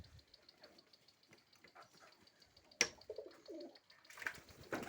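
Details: In a hot pigeon house, birds jump eagerly for food; after a sharp clack, a brief low coo rolls out, followed by rustling and scuffling, with quiet ticking throughout.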